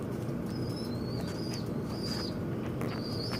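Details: High, drawn-out whistles from birds fighting at a window, each level then dipping at the end, four in three seconds, interrupted by brief clicks and taps against a steady low hum.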